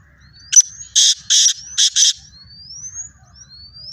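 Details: Black francolin calling in fields in Pakistan: a series of five harsh, grating, broadband notes in quick uneven succession, with thin rising whistles from another bird before and after.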